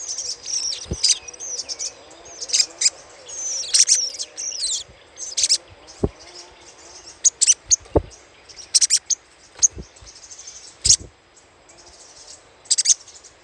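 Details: Lure recording of little spiderhunter chattering: irregular bursts of very high, dry chip notes scattered across the passage, some in quick doubles, with occasional low knocks in the background.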